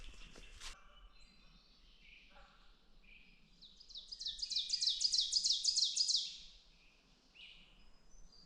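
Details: An Ovenbird sings in forest on a sunny, calm morning of 12 May in southern Ontario: a loud, ringing series of repeated two-note phrases swelling over about three seconds, with a sharp click and faint birds around it.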